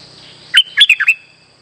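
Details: Streak-eared bulbul song played as a trapping lure: a brisk phrase of five bubbly chirps under half a second long, with a low steady hum and a faint high whine behind.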